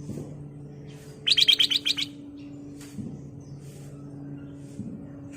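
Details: Golden-fronted leafbird lure song for caged-bird training: a rapid series of about eight sharp, evenly spaced chattering notes over roughly a second, set against a steady low mechanical hum and soft background noise.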